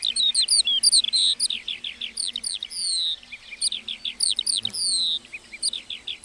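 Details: Meadow-singing lark with a fast run of high chirps and falling slurred notes, some long whistled slides, notes repeated rapidly in an irregular stream.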